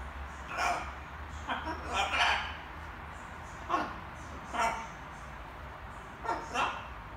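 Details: Evening babbling from a young pet macaw rehearsing words: paired throaty syllables, then single clipped utterances every second or so, in a quiet room with a low background drone.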